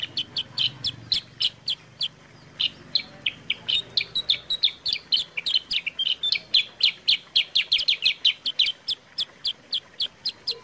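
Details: Lively sooty-headed bulbul song, used as a lure and master recording for training birds. A long, dense stream of sharp chirps, roughly four per second. It swells into busier, overlapping notes midway, with crisp clicks throughout.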